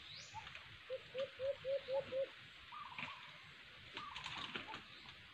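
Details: White-eared brown dove (alimokon) at a cage-trap hunting site, giving six short upslurred hoots in quick succession, about four per second, over a hissy, noisy background with scattered faint chirps.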